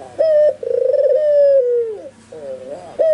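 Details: White albino Barbary dove in full, vigorous voice, with spotted and zebra doves nearby said to answer; a short clear coo, then a long purring rolled coo that slides down at the end, followed by softer wavering coos and another short coo.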